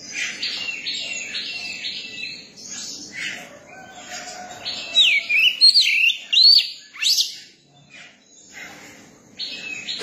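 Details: Young Oriental magpie-robin giving a song that begins with soft scratchy twittering, then bursts into a string of bright looping whistles and a steep upward slur before fading into quieter chatter.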